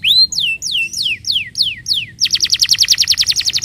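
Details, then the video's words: Canary's lure song for a canary that will not sing: a rising whistle, then six falling whistled slides at an even pace, switching to a fast, high repeated trill of crisp notes. "PANCINGAN BURUNG KENARI AMPUH UNTUK KENARI BEGU"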